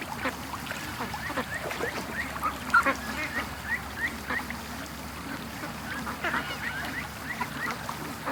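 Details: Domestic ducks at a creek during a morning rush out of the pen toward the lake, raised for charity; scattered short quacks and honks from many birds over a steady background hum.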